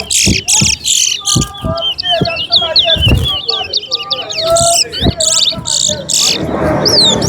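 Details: A chestnut-bellied seed finch, or towa towa, in a two-bird song race at Alligator Park. Quick, looping high warbled phrases run continuously, broken by sharp clicks, thumps and murmured speech.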